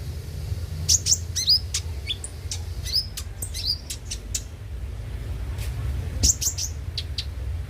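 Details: Lure recording of a konin (brown-throated sunbird) meant to spur caged birds into singing: scattered bright chirps and tiny rising whistles, with pauses between bursts, over faint low hum.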